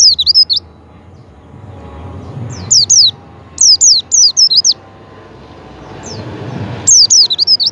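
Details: High, rapidly wavering whistles of a Javan white-eye, used as a lure so a pet white-eye starts singing, in several dense bursts of quick falling notes separated by short silences, with faint background hiss.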